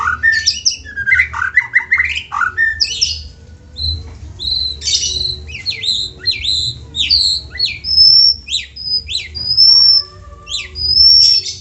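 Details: White-rumped shama lure recording to prompt shamas to sing: busy jumble of fast chattering notes and buzzy downslurs, later long thin high whistles and a lower plain whistle, dense and irregular.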